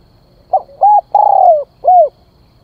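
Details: One full cooing phrase from a decoy spotted dove luring wild birds: a faint first note, a short rising coo, a long mellow coo that slides down, then a closing shorter coo.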